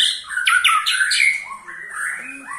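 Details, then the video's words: White-rumped shama giving a 'ketrekan' call, used to make other shamas sing: quick loud chattering notes and sweeping whistles, then softer slurred whistles. "KETREKAN SAKTI!! || MURAI BATU MANAPUN PASTI TIDA MAU DIAM IKUT GACOR"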